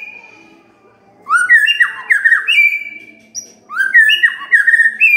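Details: A white-rumped shama sings at morning, a lure to coax quiet birds to answer: one long level whistle, a pause, then bursts of rising and falling whistled notes in two rich phrases.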